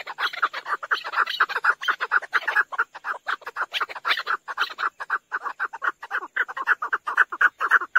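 Chukar partridge giving a fast, steady run of harsh, clucking chuk notes, about two per second, in a dense overlapping chorus. Nothing else stands out.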